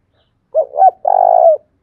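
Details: Spotted dove lure call used to draw in wild doves, a field-type voice: two short coos followed by one longer, steady, drawn-out coo, clean and close with no other sounds.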